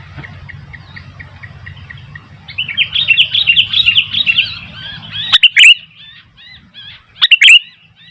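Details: Sooty-headed bulbuls, one singing vigorously and wild birds answering: a soft series of repeated notes gives way to dense bubbly chatter, then two loud, sharp chirped phrases with scattered calls between.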